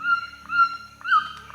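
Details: White-throated toucan song played as an example for bird-identification software: a sustained whistled tone with short breaks and a rising, bending note near the end, over a quiet low musical background.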